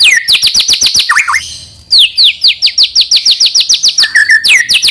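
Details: White-rumped shama song to encourage young birds to sing: long runs of crisp, high downslurred whistles repeated steadily about four times a second, broken by a short lower warble and a brief lull.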